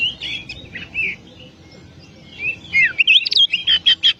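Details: Singing oriental magpie-robin on a tutor recording: a few soft whistled phrases, a quiet pause, then an energetic burst of descending slurs and crisp, evenly repeated bright notes.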